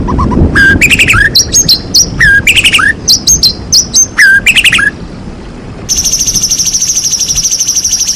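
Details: White-rumped shama song played to provoke reluctant shamas into singing: loud varied phrases of sharp whistles, downward slurs and high chips repeated in quick bursts, followed by a steady high buzzing trill.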